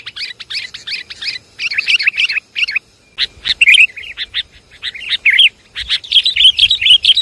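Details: Sooty-headed bulbul lure recording of lively, bubbly slurred chirps in quick clusters, a short silence, then renewed chattering phrases that grow denser at the end.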